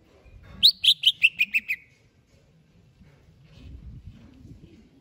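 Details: Greater green leafbird (cucak hijau), described as ready for a singing contest, gives a quick burst of about seven bright, chipping notes that step downward in pitch over one second, followed by quiet low background rumble.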